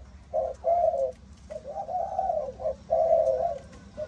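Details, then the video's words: Spotted dove, Malaysian line of 'âm thổ' voice type, repeating deep, burry coos: quick short notes leading into long sustained ones, in a steady cooing pattern. "Cu gáy malaysia dòng âm thổ tê tái"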